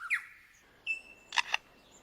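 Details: A male lyrebird in a forest, mimicking sounds to outsing his rivals, gives a short whistled chirp and a thin high note, then two sharp, dry clicks that closely copy a camera shutter.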